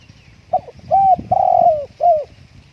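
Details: Spotted dove kept at home because of strong wind gives a brief phrase: a short double note, then three clear coos, the middle one longest and gently falling, over a low rumble.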